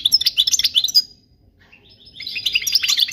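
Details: European goldfinch song meant for teaching young birds: a rapid burst of twittering, buzzy high notes for about a second, a brief pause, then the tinkling chatter resumes and runs on.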